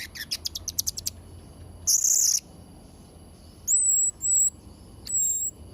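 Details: Serindit trotol, the blue-crowned hanging parrot, in full voice for training young birds: a rapid string of sharp high ticks, a harsh buzzy shriek, then two drawn-out piercing level whistles.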